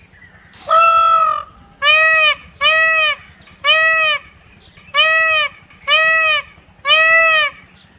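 A peacock gives a series of loud, nasal, wailing calls, about one each second, with a steady low hum behind.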